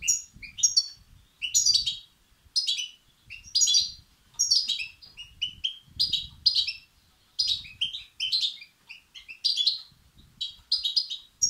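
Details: Goldfinch nestlings calling for food, used to stimulate males; steady series of high, rapid twittering bursts, roughly two per second, each a cluster of bright chirps, continuing throughout.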